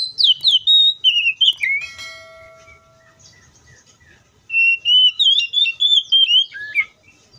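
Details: Wild Oriental magpie-robin singing a rich run of whistled notes, rapidly descending and warbling, then a held steady tone and a pause before a second burst of varied high, twisting whistles; faint low background hum.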